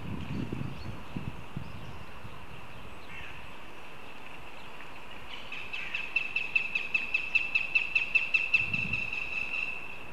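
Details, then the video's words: Northern goshawk begging at its nest in Riga, picked up by a live nest camera: after a quiet stretch with low rumbles, a quick, regular run of about fifteen sharp, piercing notes rises and then stops, with a low thud near the end. "Goshawks Riga/BKUS ☆ Pērle begins with begging calls"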